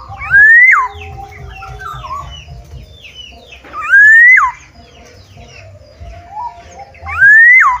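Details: Black-naped oriole singing outside its cage gives three loud whistles, each rising smoothly and then dropping sharply, about every three and a half seconds, with chattering and chirping from other birds and a low rumble between them.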